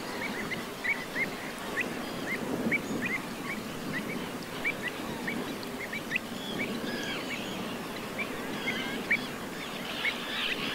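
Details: Juvenile pied avocet at the edge of the Suscinio marsh, Morbihan, on 23 June 2022 in summer: short, clipped notes repeated about every half second over a steady murmur of background noise.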